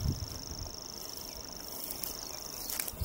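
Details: Grasshopper warbler reeling on a windy day: one continuous, even, high-pitched mechanical trill holds without a break, over a softer background of wind and a few low thumps.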